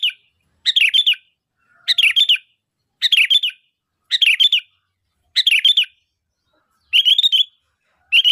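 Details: A sooty-headed bulbul calling as a lure so other bulbuls reply: seven bright, gurgling phrases evenly spaced about every 1.1 seconds in a quiet setting.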